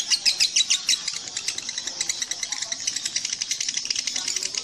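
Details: Lovebird chattering, quick high notes, louder at first and then a softer, steady rapid twitter of evenly paced notes.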